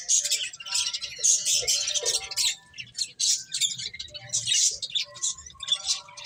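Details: Several finches feeding and chirping together, dense high twittering bursts overlapping almost without pause, swelling and fading in waves over six seconds.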